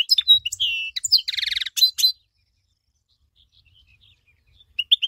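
A goldfinch sings a quick, twittering song of high tinkling notes and a buzzy, rattling trill.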